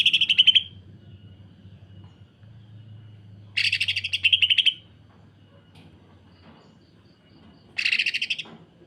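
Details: Greater green leafbird (cucak ijo) singing in its coarse 'kasaran rapat' style. Three separate rapid, grating pulse trains are spaced by pauses of a few seconds, with a low hum underneath.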